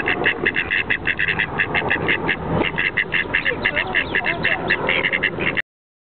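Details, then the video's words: Two ducks quacking nonstop: harsh, nasal quacks in rapid bursts of several per second, almost continuous, over low rumbling background noise and faint talking. "2 Ducks outrageously quacking nonstop"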